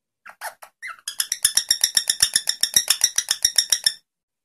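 A rosella gives a few clear whistled notes, then a fast, even chatter of bright, ringing notes, about four per second, for three seconds.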